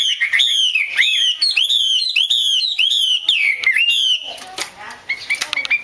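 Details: Female Chinese hwamei, whose calls are played to excite male birds into singing, gives a quick series of bright, downslurred whistled notes, about three per second, which end in scratchy, noisy rustling.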